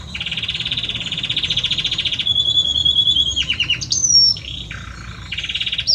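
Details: Singing male Belgian canary courting his female: a long buzzy low roll, a clear steady whistle, a cascade of quick falling notes, then renewed rolling trills.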